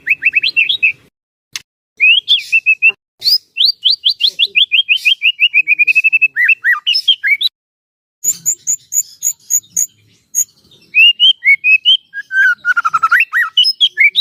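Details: Long song of a white-rumped shama, known locally as murai batu, used to make other shamas sing: rich whistled phrases, rapid descending note runs, high chattering stretches and varied slurred whistles with brief pauses.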